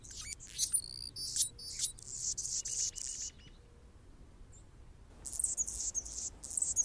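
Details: Perched on a branch in Golden Gate Park, San Francisco, California, an Anna's hummingbird gives thin, squeaky, sharply rising notes and buzzy high bursts, then falls quiet for about two seconds before resuming its scratchy, very high song.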